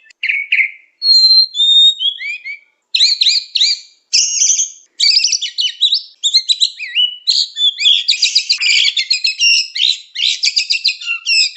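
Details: White-rumped shama (murai batu) in full, vigorous song on a lure recording: clear whistles give way to dense, rapid chattering phrases, loud and continuous over several seconds.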